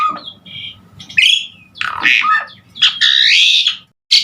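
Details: Asian pied starling in full, lively song, a recording used as a master to train other songbirds: clear whistled notes mixed with harsh squawking bursts and a rising whistled phrase, broken by short pauses.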